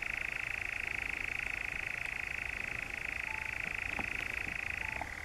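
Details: Unbroken churr of a European nightjar in the Brecks, Norfolk, July 2017, a level, fast-pulsed trill that lowers briefly at the close.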